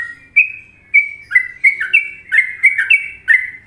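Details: Sooty-headed bulbul, Indonesia, in the much-liked Trucukan rhythm: spaced single whistles at first, then a quickening cascade of bright, slurred chirps roughly three per second.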